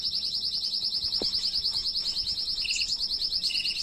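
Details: Domestic canary singing a tutor song meant for teaching young birds: a long, fast, even trill of high rapid notes, pulsing about three times a second, with brief lower trilled phrases near the end.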